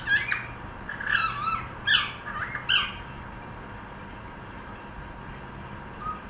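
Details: Pet cockatiel practising song: a quick burst of about five chirpy, warbled whistles over three seconds, then near silence apart from one soft note at the end.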